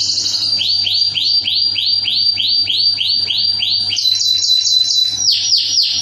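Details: Canary masteran lure for training other canaries, with tembakan bursts: a steady run of about twelve rising-then-falling whistled notes, roughly four per second, then a higher bright rolling trill, over a faint low hum.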